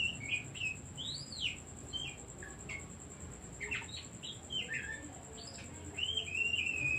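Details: Oriental magpie-robin song used to provoke other birds and get them singing: rapid, varied whistles with looping upward-and-down sweeps, clipped notes and a trilled ending, against a constant high-pitched whine and faint low hum.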